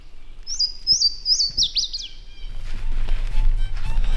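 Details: A Louisiana Waterthrush sings on public land in Illinois during a turkey hunt: three or four loud, clear, downslurred whistles, then a quick jumbled twitter. Low rumbling background noise follows.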